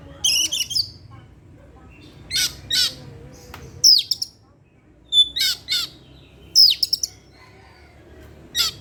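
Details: Caged Oriental magpie-robin, recorded in the evening as a lure for other birds: loud harsh rasping notes alternate with sharp falling whistles in irregular bursts about every second or two.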